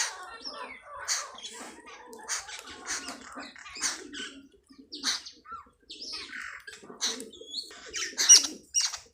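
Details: Wild sparrows feeding on feed at a poultry farm, giving a dense chatter of short, sharp chirps and tweets, overlapping and irregular, with brief flutters of wings among the calls.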